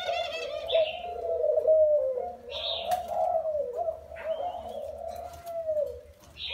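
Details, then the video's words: Low rolling coos from a spotted dove, a wild-caught bird caged for four years, flow steadily with slight dips in pitch; brief sharp chirps from other birds sound now and then. "Gáy bổi 4 năm lồng"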